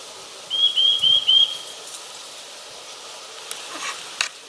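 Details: Eurasian nuthatch song recorded 29 March 2023: four clear, evenly spaced high whistled notes, each slightly rising, over steady background hiss, followed by faint distant clicks.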